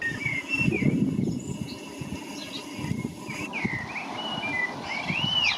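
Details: Common blackbirds singing from treetops on a stormy, dark St. Patrick's Day (17 March) near Greystones, Ireland: scattered mellow whistled phrases, some rising and falling, over gusting wind buffeting the microphone and low rumbling noise.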